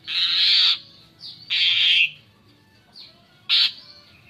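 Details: Asian pied starling, sound used to lure other birds: three loud harsh rasping squawks about a second and a half apart, with faint softer notes between them.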